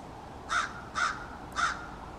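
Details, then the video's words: Family of American crows conversing in a backyard; three evenly spaced harsh caws about half a second apart, each short and broad. "American Crows Calling"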